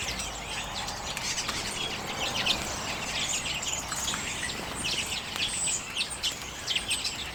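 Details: Common redpolls feeding on sunflower seeds in late January 2022, recorded with a Canon EOS M50: steady, overlapping high chirps and twittering notes from several birds, run together almost without pause over a background hiss.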